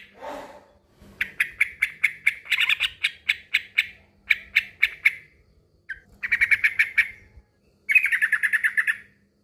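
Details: A male trucukan (yellow-vented bulbul) challenges a rival with a lengthy string of harsh, buzzy chatter notes, then two shorter rapid bursts after a pause; a low rumble opens the recording.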